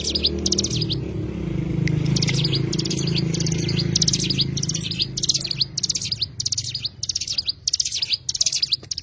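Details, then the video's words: Oriental white-eye, called cigun locally, giving rapid high twittering bursts of short notes, phrases repeating roughly every half second, over a steady low rumble of background noise. "burung cigun"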